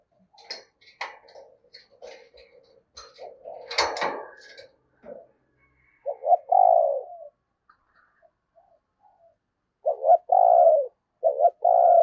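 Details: After several seconds of clattering and handling noises, a decoy spotted dove used for luring wild doves in the Tết season gives three low coo phrases, each a stuttered note then a prolonged hoot.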